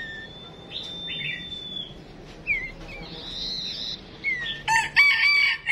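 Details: Songbird (chim chuyền) call used as a female decoy to prompt males to sing: a long steady high whistle, short falling chirps, then a loud harsh chattering burst near the end.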